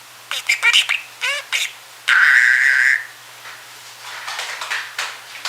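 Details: Drowsy male pet budgie talking away during a nap indoors: quick clicks and rising chirps, then a long, harsh, buzzy squawk, followed by softer murmured warbling.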